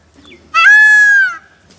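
A peacock gives one loud, nasal, trumpeting wail, held steady for almost a second before dropping away, with near silence around it.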